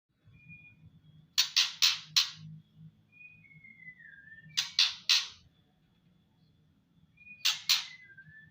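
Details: Female white-rumped shama giving its ketrekan rattle call: short bursts of two to four harsh broadband rasps, repeated roughly every three seconds, with soft thin whistles between bursts.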